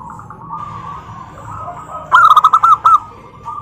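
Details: Zebra dove, its call meant to draw answers from other doves. Faint background cooing gives way to one loud, quick burst of about six rolling, stuttered coos near the end.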